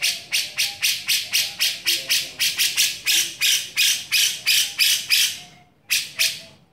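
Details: A grey-cheeked bulbul gives a fast series of harsh, hissing rasps, about four each second, then a short pause and two more, with faint whistles underneath; a rough-style master song recording.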